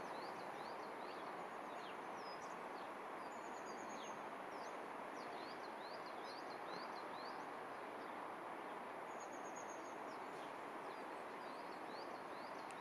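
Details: House sparrows give short, repeated chirps over a steady background hiss; recorded 4 February 2021 in Cornimont, Vosges, France.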